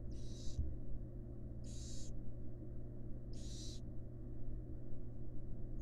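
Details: Nest-box recording of a female barn owl feeding her young: three full harsh hissing bursts roughly every one and a half seconds, the start of a fourth at the end, steady low hum beneath.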